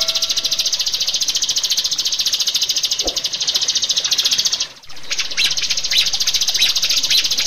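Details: Master recording of a rio-rio bird for caged-bird training: a continuous, very fast, high buzzy trill that breaks off briefly near the middle, then resumes.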